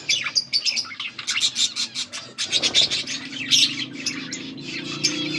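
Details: Budgies chattering in a group: rapid high chirps, clicks and short whistled notes in bursts, busy and overlapping, with a low background hum.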